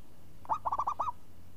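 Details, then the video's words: Zebra dove, a champion singer with a crisp, swinging voice: one clear phrase of a bright rising lead note, then four rapid rolling coos ending on a longer arched note, against a faint low hum. "Perkutut Juara Suara renyah ngayun"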